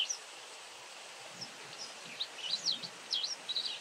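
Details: White wagtail giving sharp, high chirping notes in quick irregular bursts, a few rising and falling, over a soft outdoor hiss.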